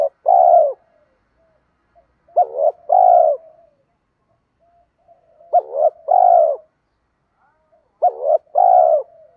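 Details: Spotted dove cooing meant to stimulate other doves; three evenly spaced phrases, each a short stuttering pair of notes ending in a longer steady hoot, silence in between.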